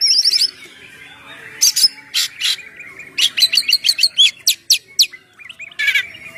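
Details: Oriental magpie-robin (kacer) singing in the ngeplong style, used to lure birds: a fast high trill opens, then a quiet gap, then sharp repeated chips and clear whistles in a quick series, ending in a buzzy burst.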